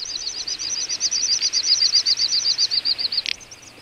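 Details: Little bustard in a wintering flock, Ag-Gol National Park, Azerbaijan, November: a rapid run of high, hooked chirping notes repeated about four times a second for three seconds, then a short sharp click and a few scattered notes.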